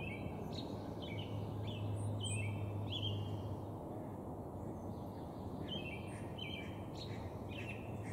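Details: Male northern flicker notes played slower, short descending whistles in two loose clusters, with steady low rumbling noise throughout.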